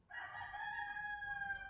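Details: Chickens at a quiet rural home in the morning after sunrise: one drawn-out crow that holds steady with a layered, slightly harsh tone, with no other sounds.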